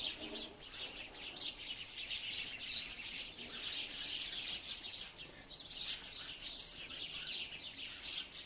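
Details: Continuous sparrow chatter, many thin high chirps tumbling over one another, dipping briefly around the middle before building up again, with a few louder squeaks standing out.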